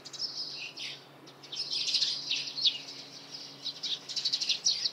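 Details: Busy morning chattering of Eurasian tree sparrows: dense, overlapping high chirps and twittering notes running almost without pause.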